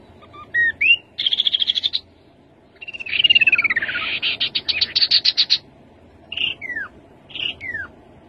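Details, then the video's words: Rufous-capped babbler singing a varied phrase: whistles, a rapid high rattle, a long descending run of notes, then two separate downslurred whistles. "Khướu bụi đầu đỏ. tiếng khướu đầu đỏ"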